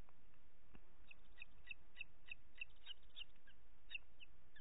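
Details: At a booted eagle nest in the Ports Natural Park, Catalonia, at 21:38 on 25 June 2021, while the mother shares dinner between two chicks: sharp, high piping notes repeated irregularly, a few per second, over constant background hiss.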